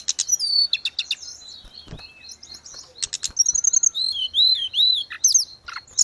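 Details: Grey-cheeked bulbul song for caged-bird therapy and tutoring: rapid bursts of sharp high notes mixed with looping whistled phrases and falling slurs, delivered in restless, varied sequences.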